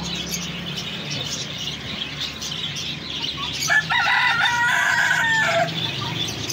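A Polish rooster gives a single hoarse crow of about two seconds, a steady strained note that drops at the end, over a low background hum.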